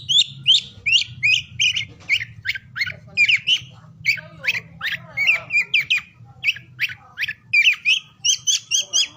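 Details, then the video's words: Oriental magpie-robin song meant to encourage quiet or lazy birds to start singing: brisk sequence of bright whistled notes and chatters, evenly spaced bursts, closing with a repeated two-tone whistle. "KICAUAN KACER DI PAGI SIANG SORE HARI UNTUK MERANGSANG KACER BISU DAN MALAS BUNYI AGAR CEPAT GACOR"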